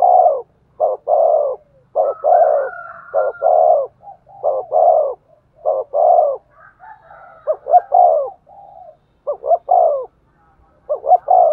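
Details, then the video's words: Spotted dove cooing to excite a male: a rapid series of low paired notes and longer coos, steadily repeated, joined midway by a second, slightly higher, wavering coo overlapping the first. "tiếng chim cu gáy thúc gù, tiếng chim cu gáy kích bổi"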